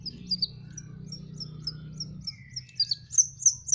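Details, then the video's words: Young canary practising its song: a string of short high chirps repeated about four times a second, growing louder toward the end, with a brief lower buzzy note in between and a faint low hum underneath. "BELAJAR MELOLOH ANAKAN BURUNG KENARI"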